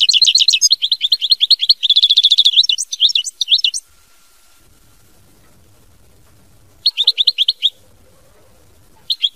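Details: European goldfinch song: rapid high twitters running into a fast even trill, more chattering phrases, then a pause and further short twittering bursts.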